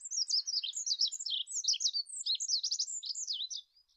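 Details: Olive-backed pipit delivering a continuous, fast stream of very high, thin warbling and trilled notes for about three and a half seconds before stopping.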